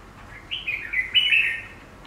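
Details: Cage-kept Chinese laughingthrush responding to its own reflection in glass: a single full, warbling whistled phrase of about a second, sliding between notes, loud and clear over a quiet room.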